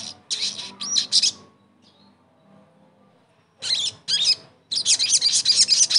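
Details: Crimson sunbird (sogon) song used as therapy to coax a silent bird into singing again: short bursts of very high, thin, rapid chirps and trills, separated by a quiet gap of about two seconds.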